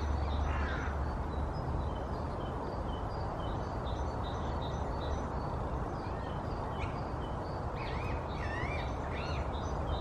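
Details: Rose-ringed parakeets courting and seeking nest sites in Ludwigshafen's main cemetery as days grow warmer, 8 °C: harsh, wavering screeches in short bursts, mostly near the end, over a steady low background rumble.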